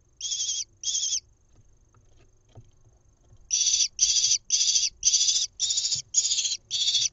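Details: Nest-cam recording from Israel, 1 June 2021, of a lesser kestrel nestling fed a mouse: two rasping screeches, a pause of over two seconds with faint rustling, then seven rapid grating high calls in a steady run.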